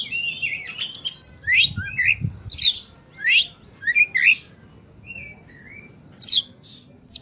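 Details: Oriental magpie-robin in peak song used to attract birds: loud harsh downslurred notes and whistles in quick bursts, a soft pause with quiet whistles, then sharp notes again.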